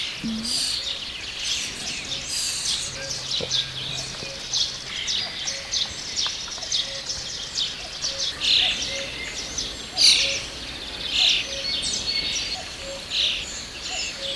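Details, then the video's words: Common starling (Sturnus vulgaris), a songbird, sings a busy medley of high, buzzy chatter, squeaks and whistles with scratchy clicks, over steady background noise. "Обыкнове́нный скворе́ц (лат. Sturnus vulgaris) — певчая птица Common Starling - songbird"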